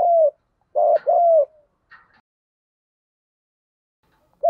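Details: Spotted dove, field-voice fighting coo for luring wild doves: one long falling coo, a close pair of deep hoots, then a long silence before another coo begins at the end.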